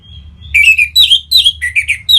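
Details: Orange-headed thrush singing, used as a lure to stimulate other birds to sing: a faint thin whistle, then rapid loud warbled notes, rich and slurred, packed in quick succession with brief gaps.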